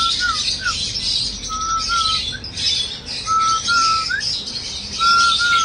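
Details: Cockatiel song of drawn-out level whistles alternating with quick falling and rising slurs, phrases spaced about a second apart, backed by busy high-pitched chirping from a crowd of birds.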